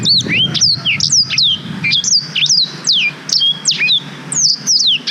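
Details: Continuous black-throated canary song for tutoring young canaries, GoPro Hero 5 recording: rapid, steady sequence of high downward-sweeping whistles and chirps, about two notes a second, with little background.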